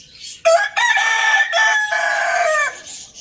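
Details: Pet rooster crowing in the morning: one loud, clear cock-a-doodle-doo lasting over two seconds, opening with short rising notes then a long, steady, ringing tone that ends abruptly, with little else around it.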